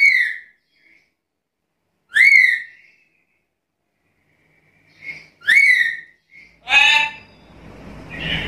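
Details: Black-capped lory calling in a lively, vocal way. Separate sharp, rising-then-falling whistled squawks come a few seconds apart. A short harsh, noisy burst follows near the end. The background is otherwise quiet.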